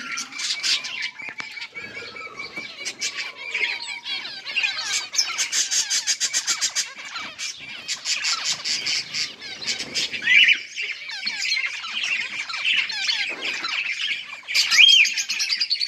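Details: Zebra finch colony in a breeding setup with nests, 15 October 2023: a busy flock gives constant nasal, toy-trumpet beeps and rapid chattering calls.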